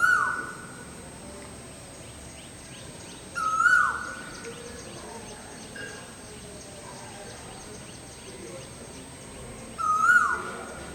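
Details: Asian koel sitting in a tree facing a balcony, calling three times over eleven seconds, each a short whistled note falling away in pitch, spaced irregularly with a long gap; faint background hiss.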